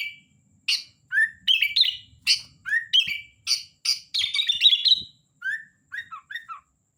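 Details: Lively sooty-headed bulbul song: a string of short chirps and upslurred whistles, a rapid warbling flourish in the middle, then a few softer rising notes to close.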